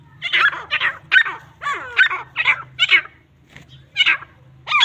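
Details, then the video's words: Grey francolins (teetar) fighting give harsh, squawking bursts, roughly eight in five seconds at an uneven pace, over a low steady hum; Grey francolin. "teetar ki ladai|irani teetar ki ladai/larai|Grey francolin sound |teetar fight|"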